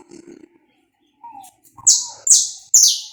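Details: Saffron finch recorded live and uncut as a warm-up song for other birds: a soft low whistle, then three strong high notes, each sweeping down, spaced roughly half a second apart.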